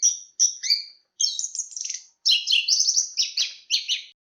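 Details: Anis kembang, the chestnut-capped thrush, sings short high whistled notes, then a dense chattering, twittering run of overlapping phrases separated by tiny pauses.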